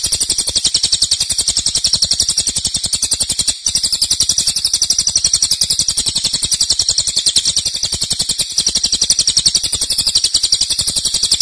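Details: High, rapid, pulsing trill from a cililin singing loud 'nembak' style at length, interrupted by two momentary breaks before continuing in the same even rhythm.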